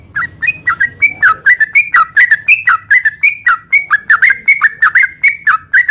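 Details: Sooty-headed bulbul singing to lure caged birds into song: a lively stream of short whistled and slurred notes, rising and falling, roughly one or two per second, loud and clear against a quiet background.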